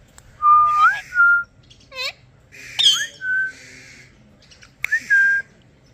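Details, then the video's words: A blue Indian ringneck parrot talking gives clear whistled notes, some rising and some level, mixed with short speech-like syllables and a brief squawk, in three bursts over six seconds; Rose-ringed parakeet. "Ringneck parrot talking"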